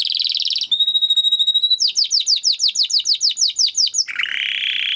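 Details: A Timbrado canary's training song: a buzzy trill, a pure steady whistle, a fast run of about fifteen repeated falling notes, then a broad harsh rasp.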